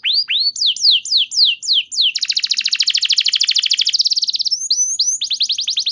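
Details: Bright canary song meant to trigger other canaries to respond: a series of falling whistled slurs, then a dense fast buzzy trill, followed by high thin notes and another rapid rattling phrase.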